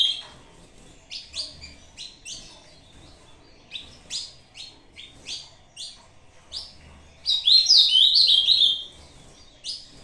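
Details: Short contest-style song of an Ultramarine grosbeak disputing with a recorded rival: evenly spaced crisp chip notes for several seconds, then one bright, fast, twisting warble of high whistles before a final chip.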